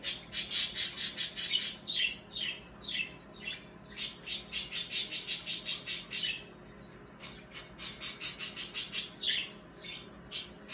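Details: Noisy birds squawking and chirping as a warning; rapid, harsh, high squawks repeated in fast runs of about two per second, pausing briefly around six to seven seconds before resuming.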